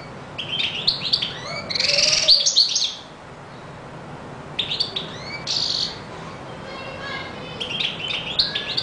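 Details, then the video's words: European goldfinch singing in bursts: short phrases of high twittering and buzzy notes separated by quiet gaps of a second or more, fainter toward the end. "Καρδερίνα πυροβολάει!!! 😍 (Carduelis Singing)"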